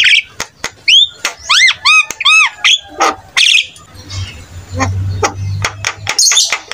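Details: Jalak kebo (buffalo starling) song, used to make other starlings reply; several repeated arching whistled notes, then harsh bursts and clicks over a low hum.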